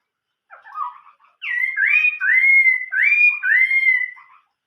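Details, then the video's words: Chinese hwamei in old-forest song: soft low warbles, then four or five loud upswept whistles, each rising sharply and leveling off, repeated about every half second. "chim họa mi hót giọng rừng già"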